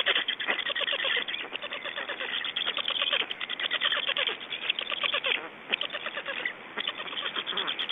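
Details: Unattended black stork nestlings in Estonia calling after the parent left, 3 June 2012, 19:18; rapid, dense ticking and rattling pulses in long runs with brief pauses, scratchy and dry throughout.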